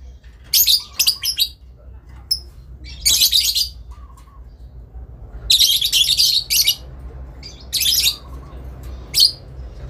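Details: Adult lovebird calling back and forth with a rival in long ngekek; loud grating high bursts alternate with short sharp chirps and a few soft lower twitters, spaced irregularly over about ten seconds, low hum behind.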